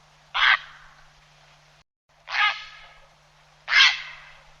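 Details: Grey heron call used by hunters to attract birds: three short, harsh, croaking squawks, each rasping and broad, spaced about 1.5 seconds apart, over a faint steady low hum.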